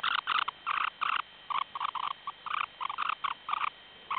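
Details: Incubating semipalmated sandpiper at a breeding site near Barrow, Alaska: rapid series of short buzzy pulsed notes, about fourteen in four seconds, uneven spacing, some doubled, steady mid pitch.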